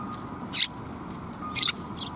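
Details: Sparrows at a Tenmangu shrine on 23 December 2021: two short, sharp, high chirps about a second apart over a steady low background hum.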